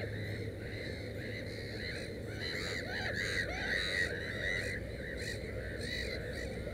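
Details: Black-headed gull at its nest with three chicks, giving harsh, nasal arched calls in quick, uneven succession, with overlapping cries from other gulls and a steady low hum beneath.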